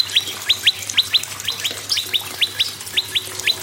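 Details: Energetic prinia song for prompting other birds, made of paired high chirps that slur quickly downward, repeated at a brisk, slightly uneven pace above a soft low hum.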